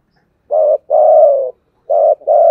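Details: Spotted dove giving thúc gù cooing: two paired phrases, each a brief pulsed coo followed by a longer, steady, low hollow coo, loud and clear against silence.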